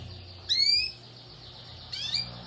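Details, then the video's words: Domestic canary of the Amarelão type at a singing competition in Maripá de Minas, Minas Gerais: two short bright whistled phrases with descending sweeps, over a faint low hum. "Canário Doméstico - Amarelão"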